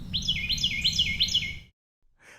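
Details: A Carolina Wren in Texas sings its loud, rolling song, about five quick, ringing whistled phrases in under two seconds, over a low background rumble; it sings this year-round, even through winter.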